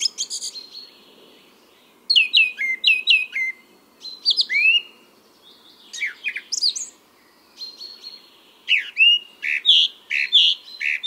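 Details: Spring song of a male song thrush in Bierlyovo forest park, Moscow, 23 April 2022: a varied flow of whistled and chattering phrases, several notes doubled or tripled, sharp high squeaks mixed in, and brief quiet gaps between bursts.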